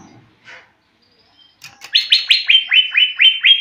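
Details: Young greater green leafbird practising its song: a quick series of about nine sharp, high notes, each dropping in pitch, repeated evenly, after a few soft chirps.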